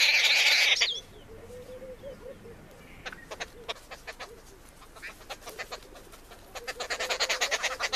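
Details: Arrow-marked babbler feeding at a campsite: a loud harsh burst of noisy chatter opens, a quieter stretch of soft clicks follows, then a rising run of rapid rasping notes at the end.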